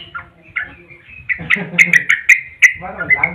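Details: Lively caged yellow-vented bulbul singing extended rolling phrases: quick bubbly whistled notes, a few scratchy squawks, then a fast run of sharp chirps repeated about three per second, over low background rumble.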